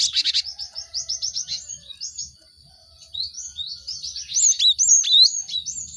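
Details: Cinereous tit song used as a lure to get caged birds singing. A harsh burst, then a fast run of high repeated notes, a pause, and varied sharp slurred whistles.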